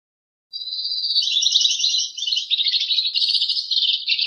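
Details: Two-barred crossbill singing a long, continuous high trill of rapid buzzy notes that shifts in tone partway through, running steadily for almost four seconds with no other sounds.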